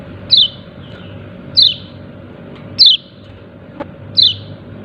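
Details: Calling yellow-breasted white-eye, "ciak ciak": four crisp high notes, each a quick downward slur, repeated about every 1.3 seconds, with a low steady hum and a faint click behind.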